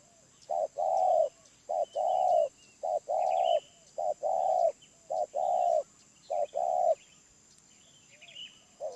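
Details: Wild spotted dove, medium voice: a regular series of deep, smooth coos, a short note before each longer one, pairs repeating about once a second, then trailing off. Light chirping of other birds in the background.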